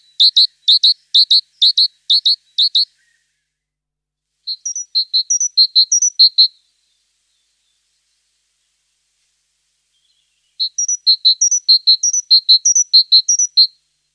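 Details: A tit repeats bright, high paired notes in three separate bouts. Some notes carry a higher overtone-like lead-in. Near silence lies between the bouts.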